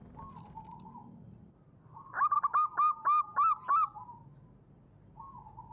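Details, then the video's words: Wild local zebra dove, recorded for use as a trapping lure, sings one clear phrase of about eight quick, evenly spaced cooing notes, with soft murmuring coos before and after. "suara perkutut lokal alam gacorr untuk pancingan"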